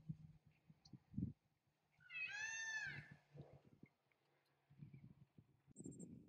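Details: Wild peafowl on an evening walk through a residential neighbourhood of Arcadia, Los Angeles County, California: a single loud, nasal, cat-like wail rising then falling over about a second, amid footsteps and low background rumble.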